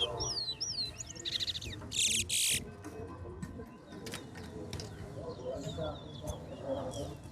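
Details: Towa towa (chestnut-bellied seed finch) singing in a West Coast versus West Bank bragging-rights competition: rapid swooping whistles and slurred notes, then a loud buzzy burst near two seconds, over a low hum of background noise.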